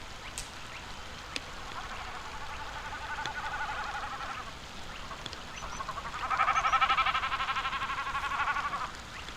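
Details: A Common Snipe at the Urdaibai marsh, Spain, on a rainy November afternoon, played as its breeding-season display sound, goat-like bleating: a fast tremulous hum pulsing about four times a second in two swelling bouts, the second louder.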